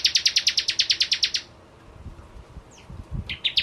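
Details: Prenjak jawa in energetic lure song: a fast train of loud, metallic high notes for over a second, a quiet gap with one faint slurred chirp and low thumps, then the rapid notes start again.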